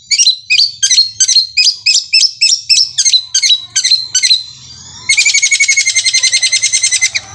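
A long-tailed shrike gives about a dozen harsh, high chattering notes, roughly three per second, then breaks into a fast buzzy roll like a sewing machine.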